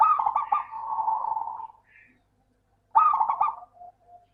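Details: Zebra dove (local perkutut) singing, used as a lure to prompt reluctant doves to sing; a long rippling coo phrase trailing into a steady tone, then after a pause a fresh burst of staccato coos.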